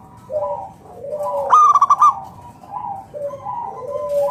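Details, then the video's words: Zebra dove of local stock in full song, luring other doves to sing: a single burst of about six quick pulsed coos amid softer, lower cooing from other doves. "PERKUTUT LOKAL GACOR SUARA PALING AMPUH UNTUK PANCINGAN BURUNG PERKUTUT AGAR NYAUT BUNYI GACOR"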